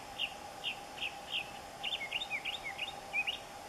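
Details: Northern mockingbird singing while perched on a thin cane of silverstripe bamboo at a home in Central Florida; a varied run of short, high chirped and whistled phrases, each repeated briefly, over a steady low background hum.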